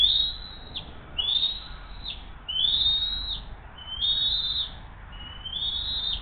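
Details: Bald eagles at the Hays nest on 20 June 2023 at 7:43 am, as the mother delivers the day's second fish and feeds the eaglet: five high, thin whistled notes, each rising then dropping sharply, roughly every 1.2 seconds.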